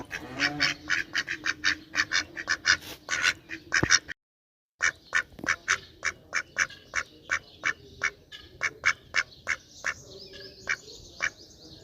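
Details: Duck quacking rapidly and loudly, short harsh calls packed closely together, a short break near four seconds, then a steady run of evenly spaced quacks that fade slightly toward the end.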